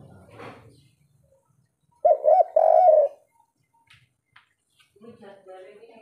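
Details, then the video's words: Spotted dove (tekukur) of the "kuk 3" style, a local wild bird. A short burst of three mellow coos runs together, the last one drawn out. Scattered clicks and rustling noises come before and after. "suara tekukur derkuku kuk 3 asli lokal alam full ngamuk"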